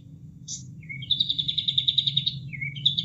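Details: Sooty-headed Bulbul song recorded as training material for caged songbirds, with added water sound: a high buzzy note, a low whistled slur, then a fast chattering trill of about fifteen pulses and another slur, over a steady low rush of water.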